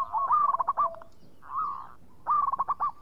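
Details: Local zebra dove in active song, clear and bright: a fast stuttering run of coo notes, a soft drawn-out rolling coo, then another quick stuttering run.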